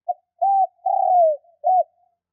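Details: Spotted dove lure call to excite wild doves: one four-part cooing phrase made of a short note, a smooth coo, a long falling coo and a closing short coo, mellow and low against silence.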